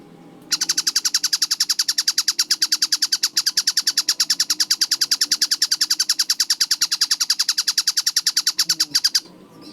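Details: Clear, fast-repeating kingfisher (tengkek buto) call, starting abruptly after half a second: a dense run of sharp, high, downslurred notes about ten per second for over eight seconds, then stopping, with faint low noise around it.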